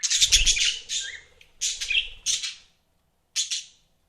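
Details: Kept budgies let out loud harsh squawking bursts, the first long and buzzy with a low thumping underneath, then three shorter raspy calls with a silent gap before the last.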